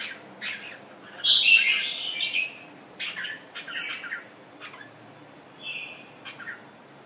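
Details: Red-whiskered bulbul from Thailand, caged and freshly moulted, delivers one loud rich warbled burst followed by softer scattered whistles and a short rising note, with pauses between.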